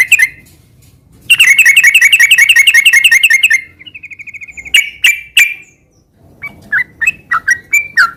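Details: Sooty-headed bulbul in gacor ngeropel style to stir quiet moulting birds: a loud fast chattering burst, a soft fading trill, then scattered sharp notes and slurred whistles.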